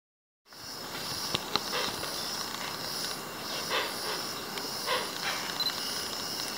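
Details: Hoatzins roosting near water in Amazon rainforest at Chalalan Eco-Lodge, Madidi National Park, Bolivia, give soft, hoarse, wheezing hisses in loose bursts every second or two while settling to sleep, over a steady hiss of forest insects.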